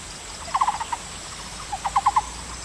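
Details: Two short bursts from a Taiwan barbet, each a quick run of about five low, hollow notes, separated by a second of faint background hiss.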